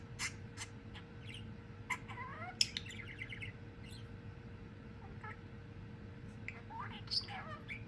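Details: A male pet budgerigar chatters in quick whistled notes, chirps and scratchy warbles over a steady low hum, a bird that whistles and can say words.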